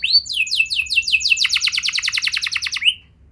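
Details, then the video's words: Canary in song, played to encourage young birds to start singing: one rising whistle, a series of down-slurred notes, then a fast even rattle closing on an upward slur. "Pancingan Burung Kenari Muda! Ampuh Buat Mengatasi Kenari Muda Susah Gacor Pasti Langsung Ngeplong"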